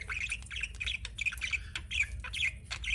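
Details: Pet budgie warbling nonstop, a fast string of squeaky chirps and chattering notes with little pause, some louder peaks, and a soft low hum in the background.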